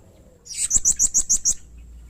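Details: Singing serindit in a lure recording for training cage birds: a quick string of seven shrill, very high chips, each short and sharply accented, over quiet background hum.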